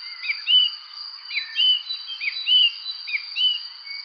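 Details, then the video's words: Spring evening birdsong: a short phrase of a quick chirp followed by a clear rising whistle, repeated about once a second, with a continuous high-pitched insect hum behind it. "evening spring birds chirping"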